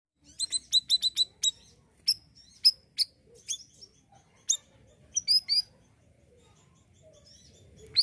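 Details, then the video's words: Siri-siri bird singing energetically, a recording meant as tutor song for training other songbirds. It opens with a rapid burst of high sharp chips, then gives scattered high whistled notes and chirps separated by short pauses. "BURUNG SIRISIRI GACOR UNTUK MASTERAN"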